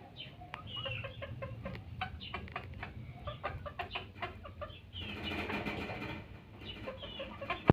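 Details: Junglefowl making a string of clipped clucks and short rising notes, broken midway by a burst of broad rushing noise like wing flapping, after which the clucking resumes.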